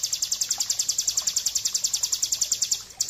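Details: Rapid 'ngebren' trill of a bar-winged prinia, kept as a master for training birds: very high, evenly spaced ticking notes, about seven per second, running steadily with one short break near the end.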